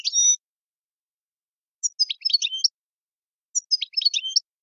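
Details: Algerian European goldfinch in tiwawati song: a brief high whistle, then two near-identical phrases of rapid, sharp twittering notes about two seconds apart.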